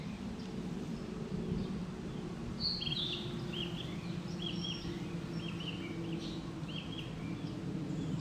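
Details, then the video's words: Male Narcissus flycatcher singing at 7:30 in the morning on 6 May 2013 in Tokyo. The song is heard locally as "toppojiijo kurukurukuru". Short high whistled phrases repeat steadily from midway through the clip, over a constant low rumbling background noise. "キビタキ♂-2 さえずり♪ A song of a Narcissus Flycatcher(male)"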